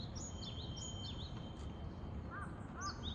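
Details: In Japan, a Japanese tit (Parus minor) sings quick, high two-note whistled phrases, repeated a few times over a steady low rumble, with lower chirps near the end.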